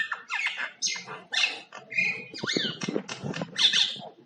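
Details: Common myna singing with many different sounds, a fast jumble of chattering squawks, upslurred whistles and throaty gurgles packed closely together, loud and continuous.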